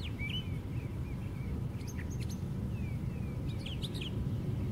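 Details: Perched at the very top of a white pine, a brown thrasher delivers sliding whistles and clusters of sharp, fast notes in varied phrases, against persistent low-pitched background rumble.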